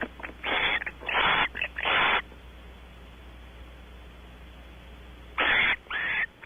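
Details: Barn owl pair mating on a porch at Audubon Starr Ranch, California, the female trying to keep the male: a cluster of four rasping, hissy screeches, a long quiet gap, then two more.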